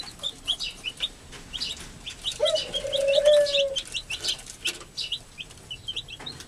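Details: Chicks just hatched under an American hen's care keep up rapid, high peeping throughout, with one longer sustained mid-pitched tone in the middle and some wing flutter.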